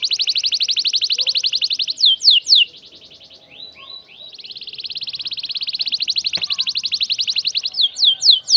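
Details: A canary sings long, fast, high trills broken by quick downward whistled slurs, with a brief quieter pause midway before the rolling trill resumes. It is a strong-singing canary recording used as a lure to stimulate other canaries to sing.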